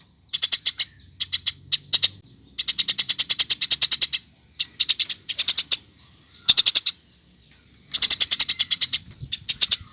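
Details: Eurasian tree sparrow used as a lure to make birds sing: bursts of rapid, sharp high chirps repeated in fast trains of about eight to twelve notes, separated by short pauses, with a faint low hum beneath.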